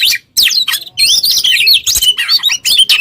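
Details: Captive Oriental magpie-robin singing loudly as a tutor for songbirds in training: after a short silence, quick bursts of sweeping whistles and sharp chirps run together in rapid, varied phrases.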